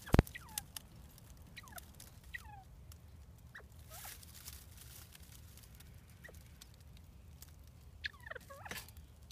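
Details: Several captive bobwhite quail just moved into a new indoor enclosure, giving soft, short downward-sliding whistled calls scattered over nine seconds, with clicks, tapping and a steady low hum behind them.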